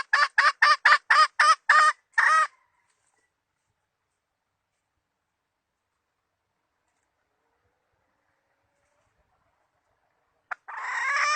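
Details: Hen used as a trapping decoy in the 2020 season: eight quick, evenly spaced clucks over two seconds, then a long silence before another rough call begins at the very end.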